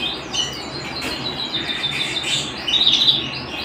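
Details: Singing canary kept at home: a continuous rapid warble of rolling trills, brightening into clearer whistled notes toward the close.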